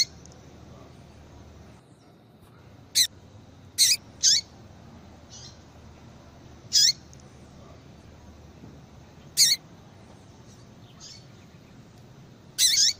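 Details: A female Yellow-bellied Seedeater calls often to warm up a male for breeding. Sharp, very high chips arrive in loose clusters, some doubled, about eight notes in thirteen seconds, several with a downward flick, softer notes between, steady hiss behind.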